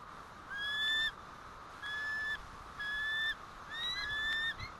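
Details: Four steady whistled bald eagle alert notes, each near half a second and spaced about a second apart, from the White Rock nest at about 10:06 am on 1 April 2012, when the male returns and the female soon departs.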